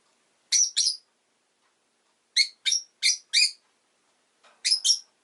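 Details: Pet rosy-faced lovebird chirping: loud shrill harsh chirps in pairs and a run of four, separated by silent gaps, with no other sounds heard.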